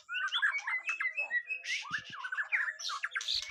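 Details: White-rumped shama during a first mental test, delivering dense, harsh chattering phrases mixed with quick whistled slurs, loud and nearly continuous, with a few low knocks in the background.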